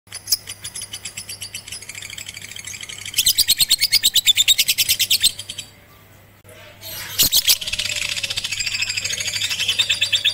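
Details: Lovebird on a rooftop during song training with a master recording, 18 April 2021, to make it sing longer and more often: fast, shrill chirps in rapid trains, a louder burst midway, a short pause, then dense chattering resumes with a low steady hum.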